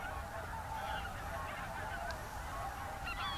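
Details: Whooper swans in an evening concert at the roost in a German national park with geese nearby, 7 February 2023, late afternoon: a dense chorus of overlapping bugling, honking calls from many birds, steady throughout, with a soft background hiss.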